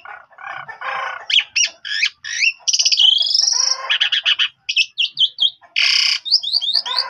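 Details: Loud, varied song of an Asian pied starling, played to get young birds to respond. It mixes scratchy chatter, sharp whistled chirps, a long buzzy rising note and a harsh broad squawk, with a rapid run of slurred whistles at the end.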